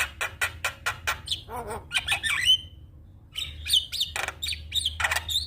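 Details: Black-winged starling song for training birds: a rapid run of harsh clipped notes, a nasal grating phrase, a clear whistle, a short pause, then more screechy whistles and raspy chatter.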